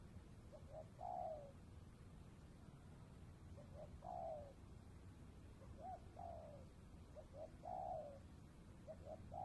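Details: Spotted dove calling in the Cambodian border area in the afternoon, where doves are being trapped: two or three quick soft notes leading into a drawn-out descending coo, phrases roughly every two seconds, with steady low background noise.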